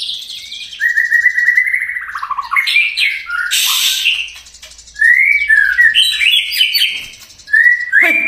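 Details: Caged white-rumped shama singing energetically, used to stimulate other shamas to sing: long slurred whistles, falling trills and sharp chattering notes, with a brief loud rasping burst midway.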